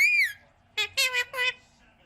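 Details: Ringneck parrot kept as a pet gives one bright, slightly falling whistle, then, after a short pause, three harsh, buzzy, rasping squawks in quick succession in a quiet room.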